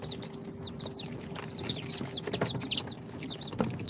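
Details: Freshly hatched chicks from an incubator, second day, of Sultan, Golden Sebright, Cochin and booted breeds, peep in bright, high, falling chirps several times a second, with soft taps and a faint hum behind.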